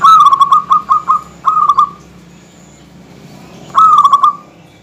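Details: Zebra dove, local perkutut, in full dense song aimed at provoking rivals: quick stuttering coos in two clusters, a pause, then another rolling phrase; steady low hum behind.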